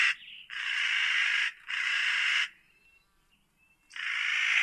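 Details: Loud, drawn-out, scratchy calls from a spotted nutcracker, each about a second long and given in quick succession. Faint thin tones fill the short gap between calls.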